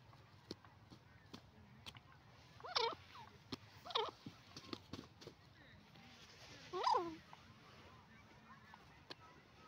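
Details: Francolin pair calling, with three separate harsh, wavering harmonic calls spaced several seconds apart. Faint clicks and ticking sounds fill the pauses between calls.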